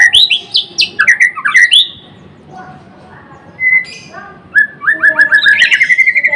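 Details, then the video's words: White-rumped shama of the Murai Blorok type in full song: sharp high whistles and downward slurs, a quieter interlude of soft notes, then a fast string of repeated whistled notes. "Kicauan MURAI BATU GACOR (Murai Blorok gacor)"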